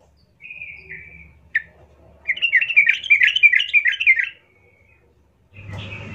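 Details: Yellow-vented bulbul song used as a lure to provoke another bulbul: a thin whistled note, a sharp short chip, then a rapid bubbly warbled phrase lasting about two seconds, ending in a low hum.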